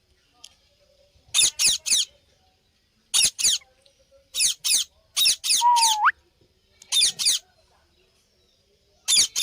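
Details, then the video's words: Parrot repeating short, harsh screeches in clusters of two or three, spaced about every second or two. Midway, one smooth whistle rises abruptly at its end. "Parrot Chirping Sounds | Natural Parrot Sounds | Parrot Calling Sounds"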